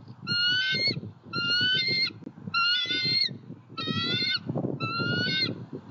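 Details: Eagle filmed by a Southwest Florida eagle cam at a pond, 23 February 2020: five longer, rich, ringing calls, each about half a second, repeated roughly once a second over steady low rumble.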